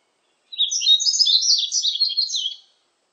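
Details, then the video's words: Yellow-throated bunting singing, from a 2020 National Institute of Biological Resources recording: one bright, high twittering phrase of quick, tumbling notes lasting about two seconds, otherwise silent. "노랑턱멧새, 1번 듣기, 곤충소리, 새소리"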